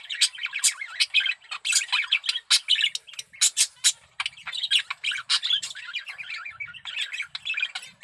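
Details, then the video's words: Male budgerigar, strongly in breeding condition, keeps up a busy warble of harsh squawks, sharp clicks and twittering notes in rapid irregular bursts. "Suara Burung Parkit Jantan || BIRAHI PARAH"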